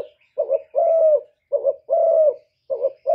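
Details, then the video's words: A spotted dove coos in soft, low phrases, a quick double note then a long drawn-out hollow coo, repeated steadily with no other sounds; a calling song used to lure other doves. "cu gáy giọng thổ thúc gù + gáy gọi giọng rất chuẩn để kích bổi"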